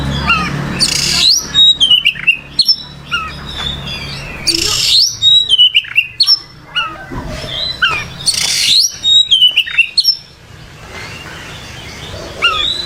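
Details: Kacer (oriental magpie-robin) singing vigorously, repeated phrases of harsh scratchy bursts followed by clear descending whistles and quick chips, fading to quieter notes near the end.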